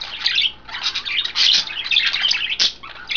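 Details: Pet budgerigars, three females of a five-bird flock bathing in vegetables or a water dish, 09.02.12; loud, nearly unbroken excited chattering of high squawks, chirps and warbles from several birds at once.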